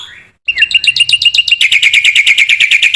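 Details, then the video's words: Black-winged myna in full voice for tutoring other mynas: a continuous rapid trill of ringing notes that grows richer and louder as it goes. "MASTERAN BURUNG JALAK PUTIH GACOR"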